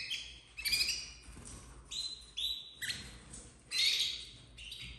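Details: Domestic canary chicks of the red frosted color, captive-bred in 2024, uttering shrill, raspy chirps in short bursts about once a second, some notes squeaky and slightly rising.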